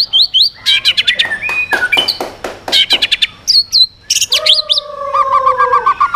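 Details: Shama song in the swiftlet-ringing style, changing voice to excite other birds: fast dense phrases of sharp clicks and whistles, looping high notes, then a low steady trilling buzz beneath fine chirps.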